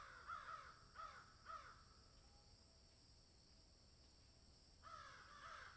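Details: Crows cawing in a field: a quick run of three harsh caws, a pause of about three seconds, then two or three more hoarse caws near the end.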